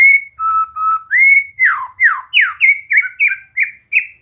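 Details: Training song of a white-rumped shama (murai batu), meant to make a bird sing and sing often: steady held whistles followed by about ten quick downward-slurred whistled notes in a rhythmic run.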